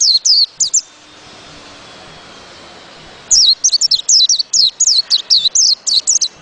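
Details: White-eye: a few high, downslurred notes, a two-second pause, then a brisk renewed run of thin, sweeping chirps.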